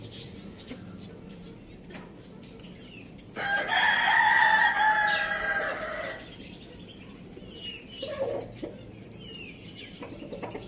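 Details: Single long crow from a pet rooster, one of a flock with hens, chicks and budgies; the rich harmonic call lasts nearly three seconds, with budgie twitters and soft clucks before and after.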